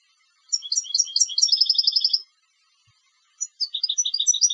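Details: Competition European goldfinch: lively twittering notes run into a quick, evenly spaced trill, a one-second pause, then another bright chattering phrase starts.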